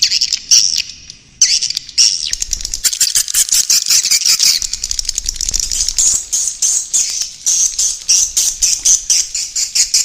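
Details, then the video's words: Swiftlets give dense, rapid high twittering chirps in quick repeated bursts, with a faint low rumble beneath; an original roosting ("inap") recording. "Suara walet Berkualitas | Terbukti Menginapkan Walet"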